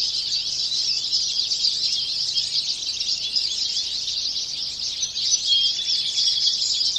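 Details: Wild birds singing at the edge of a small patch of woods behind a house in Virginia, late April, caught by a trail camera: a dense, continuous high chorus of chirps and thin whistles with no single dominant singer.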